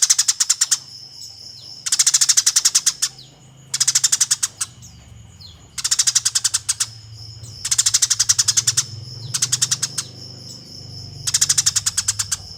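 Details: Eurasian tree sparrow in a fighting mood, recorded as master audio for training competition songbirds: six bursts of fast, harsh, dry chirps, each about a second long, arriving every two seconds over a steady thin high whine.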